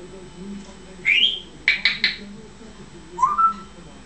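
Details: Pet African grey parrot in a small room, agitated once its owner leaves for the bathroom; a rising whistle, then three quick sharp clicks or chatter notes, then another upward-gliding whistle, over a steady low household hum.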